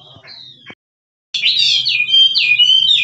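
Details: Wild Chinese hwamei, kích trống singing: a short falling whistle, a moment of silence, then a loud continuous stream of warbled, wavering whistles over a low hum.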